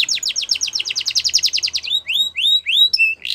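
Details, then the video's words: Yorkshire canary singing a training song for young canaries, a rapid string of high swept notes followed by slower rising whistles and a short flat tone. "Yorkshire Canary Singing | Canary Training Song"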